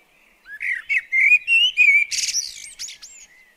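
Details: Blackbird singing as it visits a garden bird table: a run of clear, warbled whistles on a steady mid pitch, then a sharp rasping burst and thin, high upslurred squeaks.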